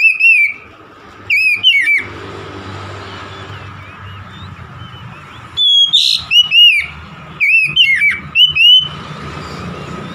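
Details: Oriental magpie-robin song meant to set a stressed, non-singing magpie-robin singing again: short bursts of bright whistled notes, some sliding down, some rising, separated by quiet gaps of several seconds, with faint low rumbling between phrases.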